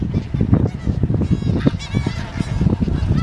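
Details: Many snow geese calling together in Dare County, North Carolina, USA, January 23, 2017, a rapid jumble of short honking yelps over a low rumbling background.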